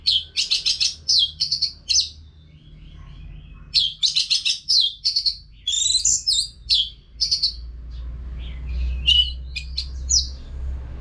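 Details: Orange-headed thrush in full song, used as a training sound for caged birds: bursts of bright, varied whistled and chattering phrases, high-pitched, separated by short pauses, over a faint low hum.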